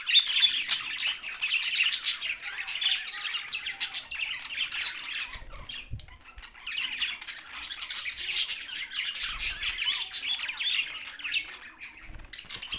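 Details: Long stretch of budgie flock chatter, with fast, nearly nonstop scratchy warbles, chirps and squawks, interrupted by a couple of short low flutters of wingbeats.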